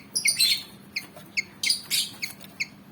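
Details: Javan fantail, a black-and-white bird about 19 cm long, keen to fight, gives a few sharp chips mixed with harsh, scratchy bursts in quick succession.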